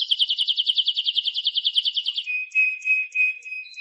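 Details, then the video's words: Timbrado canary delivering a fast, even rolling trill of about two seconds, then slower, deeper gurgling notes repeated in short pulses. "CD Canario Timbrado"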